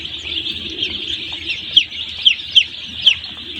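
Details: Flock of one-day-old chicks at a poultry farm, many high peeps merging into a steady shrill chorus, with a few louder sharp peeps standing out near the end, a low hum beneath.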